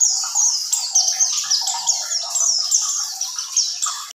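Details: Pleci buxtoni, a mountain white-eye, in unbroken ngerol song: dense, shrill, rapid chattering phrases of falling notes, strongly pulsed and running on steadily.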